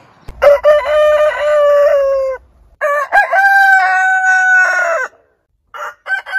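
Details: Two long crows from heritage-breed roosters, each a loud harmonic note held steady for about two seconds, followed by a few short fragmentary calls near the end.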